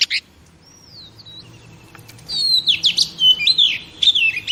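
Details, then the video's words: Female oriental magpie-robin sounds for stimulating male pet birds: a short chip, a long pure falling whistle, then a pause before a run of wavering, slurred whistles and buzzy notes. "Chòe Than Mái Kích Trống Phê Tận Não"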